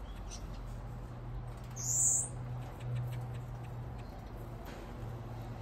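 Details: Aviary-kept blue-capped cordon-bleus, isolated to encourage breeding with an added male stirring territorial behaviour, give a single high, thin, slightly rising call midway, with a steady low hum underneath.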